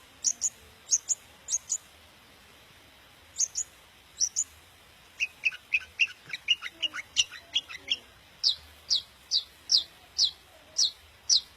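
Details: Daput long-tailed shrike song used to excite other shrikes into singing: paired piercing high notes in spaced groups, then a fast tumble of mid-high chips, ending with a slow regular series of strong descending high squeals.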